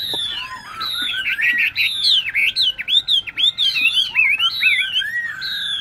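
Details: Captive tame Chinese hwamei kept in Ho Chi Minh City, delivering a loud, rich song of looping whistled notes that swoop up and down, ending in a fast jumble of bright, varied phrases.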